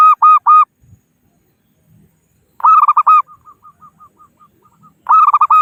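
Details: Zebra dove, local form, calling rivals as a trapping lure: loud bursts of stuttered cooing notes, with a string of faint soft evenly spaced coos trailing between the bursts.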